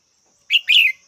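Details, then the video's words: Red-whiskered bulbul call of two notes, a brief sharp chirp followed by a fuller, wavering warble, with a thin constant high tone behind it. "Chào mào mắt chắng"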